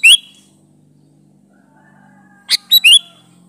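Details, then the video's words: Sooty-headed bulbul singing vigorously in a natural wild style, used as a lure to make other bulbuls answer: one brief bright note, a long quiet pause, then a quick cluster of three sharp, chirpy notes. "Variasi Suara burung Kutilang Gacor Full isian Alam di Jamin cocok buat pancingan kutilang"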